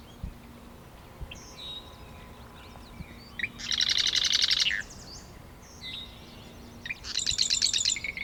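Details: Presumed male Marsh Wren singing near its nest in a wetland at Taquanyah Conservation Area near Cayuga, Ontario, 2024, with others nearby: two songs, each a few thin introductory notes then a dry, buzzy rattle about a second long, over a low steady hum.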